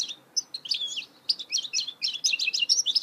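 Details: Goldfinch hybrid (mule) singing a fast, dense twitter of high chirps and short slurred whistles, notes tumbling roughly four per second after a brief pause at the start.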